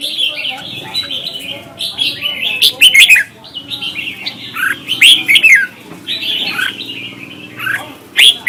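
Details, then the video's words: Red-whiskered bulbuls in Vietnam singing in contest, recorded as lure sound for training birds: bright, warbled phrases with rising and falling whistles, bursts every second or two, overlapping with sharp chirps. "Chào mào hót đấu hay nhất việt nam"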